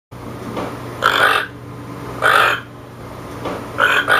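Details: Toucan giving harsh, hoarse croaks, three loud ones spaced over four seconds with fainter croaks between, over a steady low hum.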